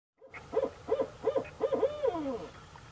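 An owl gives a quick run of five mellow, mid-pitched hoots, then a longer note that slides downward.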